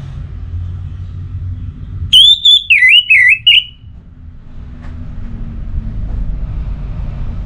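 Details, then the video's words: Orange-headed thrush sparring song meant to set a kept bird singing: a single loud phrase of about two seconds made of clear, slurred whistles that dip and rise, over a low droning background hum. "Memacu Burung ANIS MERAH dengan Suara Pacingan Agar Selalu Berkicau Pagi Siang Malam TIdur"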